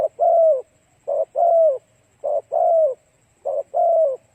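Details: Spotted dove cooing to lure other doves, steady pairs of notes nearly once a second: a brief husky coo then a longer one that slides downward, otherwise quiet.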